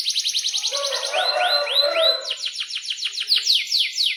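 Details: Singing canary in strong voice; rapid buzzy trill, then four looping whistled notes, then another fast descending trill, all continuous and loud.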